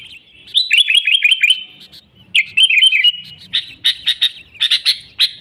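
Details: Sooty-headed bulbul song used as a lure for trapping wild bulbuls: bubbly warbled phrases near the mid-high range, a run of quick rolling notes, then sharp chirps repeated in bursts.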